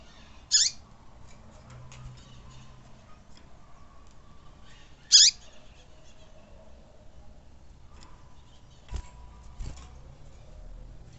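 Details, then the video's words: Tui tui style song of a Double-collared seedeater, used to stir caged birds into singing: two loud, piercing high notes dropping in pitch, roughly four and a half seconds apart, with soft clicks and knocks between. "Esquentar Coleiro tui tui"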